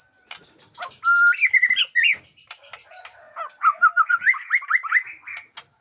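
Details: Combative caged white-rumped shama giving a sustained whistle and swooping phrases, then a fast run of rising whistled notes; a thin high tone and faint chatter of other birds run underneath.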